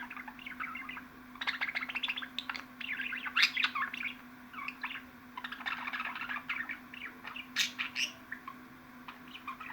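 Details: Budgerigar chattering in bursts: quick twittering chirps and sharp clicks mixed with short warbles, pausing briefly between runs, over a steady low electrical hum.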